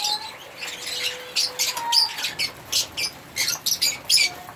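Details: African lovebirds chirping: short, sharp, high squeaky bursts in irregular clusters, growing busier after the first second, with brief quiet gaps between calls.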